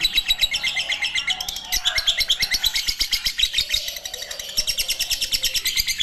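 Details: Lovebird ngekek panjang: sustained shrill chattering of quick high chirps, roughly three per second, briefly softening near the middle before resuming at full strength.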